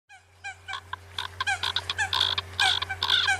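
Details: Eurasian coot calls: short, nasal, downward-bending notes that quicken and pile up into an overlapping flock chatter, with a steady electrical hum beneath.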